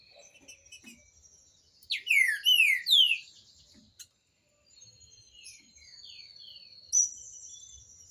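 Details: Green-winged saltator singing, a song meant for teaching young birds: a burst of three loud, rich, descending whistled notes, then quieter chattering and a high trill from other birds.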